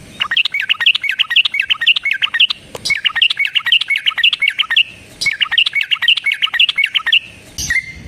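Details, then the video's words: Yellow-vented bulbul (trucukan) in a long fighting song used to make other bulbuls sing: three bursts of rapid, bubbling chatter, each lasting about two seconds and separated by short gaps. "TRUCUKAN GACOR TARUNG ROPEL PANJANG Pancingan trucukan Agar Bunyi Jadikan Burung Trucuk Gacor Nyaut"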